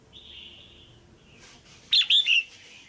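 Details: A caged female red-whiskered bulbul gives a pairing or male-stimulating call: a faint thin whistled tone at first, then a quick loud cluster of three bright chirps near the end.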